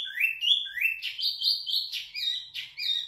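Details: Captive zebra finch singing loudly and clearly for song tutoring, delivering a quick, continuous chain of nasal, buzzy notes, some rising and some flat, in a rapid repeating pattern with no other sounds.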